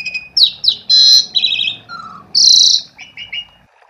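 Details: Asian pied starling song as a lure for starlings not yet singing: sweeping downward whistles, buzzy rasps, a low whistle, a long harsh burst and three short evenly spaced chirps at the end.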